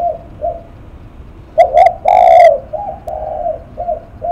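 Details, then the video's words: Spotted dove cooing: soft trailing coos, then a loud phrase of two short hoots and a long drawn coo, followed by further softer dipping notes. "Cu Gáy Lắc Mặt"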